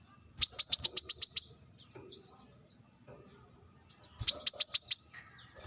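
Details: Brown-throated sunbird with a sharp call meant to challenge rivals: two bursts of six to eight quick, high, ringing notes, with soft twittering in the gap between them.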